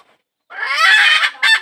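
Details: Hen calling to attract a rooster, giving one loud, raspy, drawn-out squawk followed by a shorter harsh note after a brief pause.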